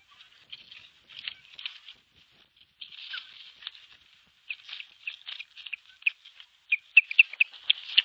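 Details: Osprey at a Finnish nest, 21 April 2023, defending its nest alone against an intruding osprey: rapid, high, sharp chirping calls in uneven bursts, growing louder and more insistent toward the end.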